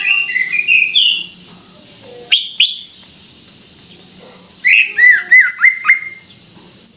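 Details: Greater green leafbird (cucak ijo) singing in full gacor style: bright whistled notes and slurred phrases, a rising then falling run at the start, bursts of quick downslurred whistles near the end, quiet gaps between.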